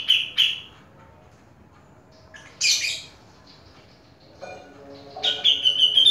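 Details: Grey-cheeked bulbul kept in a cage, singing in short separate bursts: a harsh rasping note, a loud buzzy chatter, then a run of clear whistled notes mixed with scratchy calls, with quiet gaps between.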